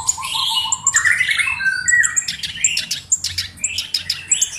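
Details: Black-browed reed warbler singing a busy mix of grating chatter, rising whistles and sharp clicking notes, loud and continuous.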